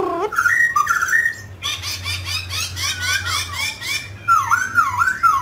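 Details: Mutant grey laughingthrush singing while dancing: rising whistles, then a rapid run of harsh, buzzy chattering notes, then a return to looping, wavering whistled phrases.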